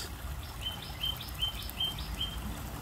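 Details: African goose goslings peep in a run of short, high, flat whistled notes, about one every half second, evenly spaced, against a constant low-pitched background hum.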